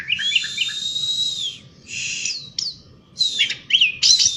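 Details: Asian pied starling singing outdoors in a continuous rolling 'gacor ngeroll' style: a long high steady whistle with warbled notes underneath, then short rising and falling whistled slurs and sharp buzzy chips.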